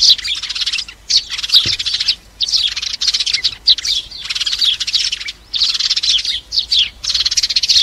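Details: Sparrows calling the flock for use in trapping: repeated bursts of lively, scratchy chirps, each about a second long, with short silent breaks between them.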